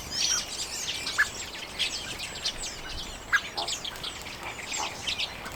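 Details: Common redpolls at sunflower seeds in late January 2022, recorded on a Canon EOS M50; continuous high twittering from several birds, with a few louder clipped chips standing out.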